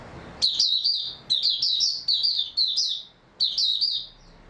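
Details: Oriental white-eye singing on 3 March 2022: a run of bright, high, rapidly repeated chirping phrases, each short and slurred, followed by a final twittered burst after a short gap.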